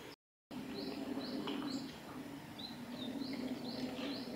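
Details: Long-tailed tit bathing at Ōbora spring, Lake Yamanaka, Japan, on 3 June 2018, calling thin, high, slightly arched notes about twice a second over a steady low background rumble.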